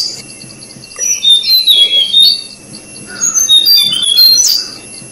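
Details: Orange-breasted, white-bellied flycatcher adults feeding their chicks at the nest in Thailand; high thin twittering and squeaky chirps in bursts, with a steady faint high tone in the background.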